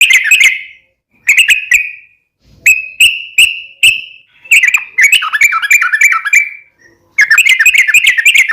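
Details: Yellow-vented bulbul in lively, long chattering song, played as a lure so captive bulbuls answer; bubbly, slurred whistled phrases in bursts of about one to two seconds with short silent gaps.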